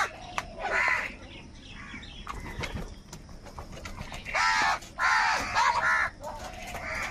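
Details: Crows quarrelling over food give a harsh caw early, then a quieter stretch with clicks and rustling, followed by a rapid run of three or four loud, rasping caws near the end.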